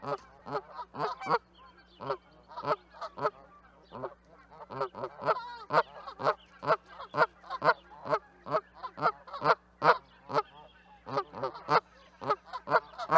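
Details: Canada geese honking continuously and loudly, a rapid, somewhat uneven stream of harsh nasal calls around two per second, sometimes overlapping, over a faint low hum.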